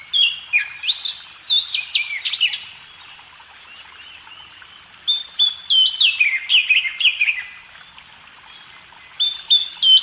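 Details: Magpie robin song used to train cage birds: three energetic phrases of sharp chips and cascading, sliding whistles, with quieter spells between them.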